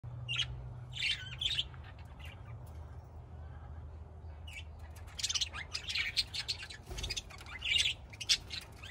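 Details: Budgerigars calling: short scratchy chirps in scattered bursts, sparse at first and then denser and busier toward the end, over a low steady hum.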